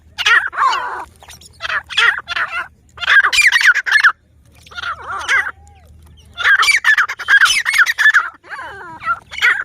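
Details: Pakistani grey francolins, called teetar, in a raucous chorus: dense bursts of harsh, rapidly repeated notes in groups, broken by a short quiet gap, then another loud stretch ending in twisting whistles.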